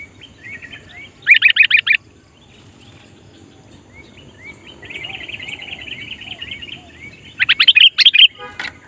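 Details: A Sooty-headed bulbul singing to lure wild bulbuls, giving loud bursts of rapid, bubbly notes, then a long chattering run of high, slurred chirps, with faint rural background noise.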